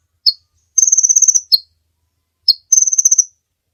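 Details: Kolibri ninja sunbird master song for teaching other birds: a single sharp chip followed by a buzzy high trill of rapid pulses lasting about half a second, the pattern repeated twice.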